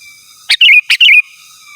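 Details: Energetic sooty-headed bulbul calling out to rivals: a pair of short liquid phrases, each a crisp onset followed by a rolling, wavering whistle, with a thin constant tone in the background.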